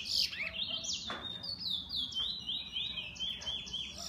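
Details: Owned bullfinch opens with a harsh, bright note, then gives a descending series of flat, piping whistles in a slow stepwise run.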